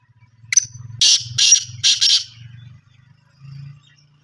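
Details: Harsh rasping phrase from a black francolin (desi or kala teetar): five quick, buzzy, broadband notes rushed together over two seconds, over a faint low hum that swells briefly near the end.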